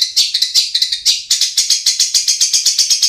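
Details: Lure recording of a long-tailed shrike meant to spur reluctant birds into song: harsh, rattling high notes delivered rapidly and steadily, about four per second, with a brief pause near the start.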